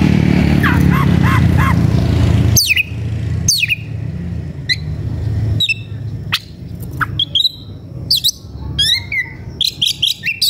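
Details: Fired-up White-rumped shama calling out for a fighting rival. After faint softer notes come sharp, falling whistles and scattered high flicks, ending in quick clustered chirps, over low rumbling noise.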